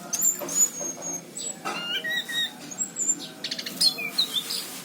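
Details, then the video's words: Orange-headed thrush in lively song, recorded in 2019 in Cirebon: a quick, varied run of high, thin whistles and sharp chirps, with short slurred notes and clicky bursts in rapid succession. "Anis cendana gacor"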